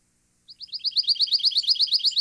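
A Pine Warbler sings a musical trill of about a dozen identical high slurred notes, roughly seven per second, swelling in volume over a quiet background.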